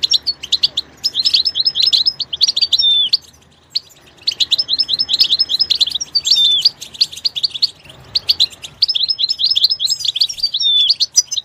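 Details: Goldfinch heard in its natural environment giving three twittering song phrases of quick high chirps, each ending in a clear downslurred note, with short gaps between phrases.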